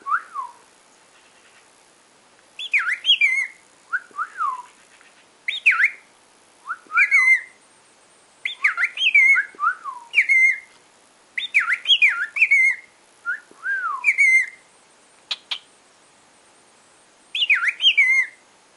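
A cockatiel gives bright, slurred whistles, short rising and falling phrases repeated every second or two.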